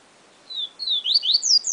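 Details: Papa-capim or yellow-bellied seedeater in the 'Siu Siu Professor' style: a thin descending whistle, then a second, leading into quick climbing slurs and high sweeping notes.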